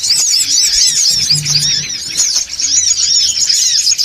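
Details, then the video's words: Songon otong noisy lure call: a flock's high, squeaky chirps overlap densely in continuous chatter, with a faint low hum in the background. "SUARA PIKAT SONGON OTONG (RIBUT)"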